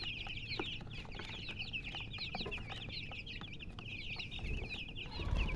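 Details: Chicks chirp in a crowded chorus of sharp, high, slurred peeps, growing slightly louder toward the end, with a low rumbling background throughout.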